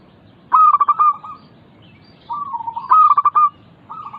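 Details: Local zebra dove, perkutut lokal, cooing as a prompt recording meant to get lazy caged doves singing. Two mid-pitched phrases, each a quick pulsed stutter running into a drawn-out trilled coo, repeated after about two seconds.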